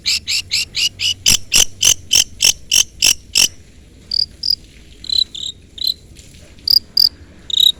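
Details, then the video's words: Long-tailed shrike calling out a rival to get an answer: a rapid regular run of buzzy rasping notes, about three a second, followed by scattered thin high whistles and short squeaks. "pancingan cendet gacor full isian CUITAN MEMANGGIL LAWAN Ini ahlinya bikin burung cendet Nyaut"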